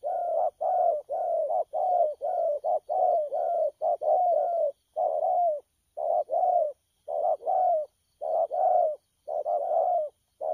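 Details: Spotted dove, a newly wild-caught bird in the thổ pha cooing style, recorded 12 October 2019: low, mellow coos, each slightly falling, repeated steadily about once a second in short bursts with brief pauses, over a quiet background.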